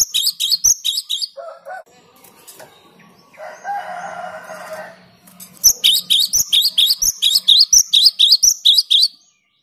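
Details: Cinereous tit singing with clear tone and strong persistence, used to rile opposing birds: bursts of quick high two-note phrases repeated about four times a second, broken by a softer lower rustling noise before the song resumes.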